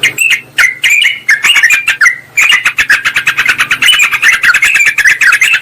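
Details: Yellow-vented bulbul lure recording for calling a rival: lively slurred phrases that speed into rapid, jumbled chattering chirps, over a soft low hum.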